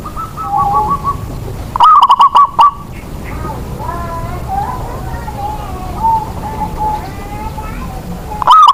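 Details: Indonesian local zebra dove kept as a lure to prompt lazy birds into song: soft trilled coos, then a loud burst of quick stuttering notes, followed by gentler wavering cooing from other doves and a final loud note.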